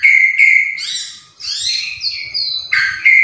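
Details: Murai batu, the white-rumped shama, in lively song: a steady whistled tone, then buzzy sweeping notes and rising slurs, ending in a bright burst and a returning whistle.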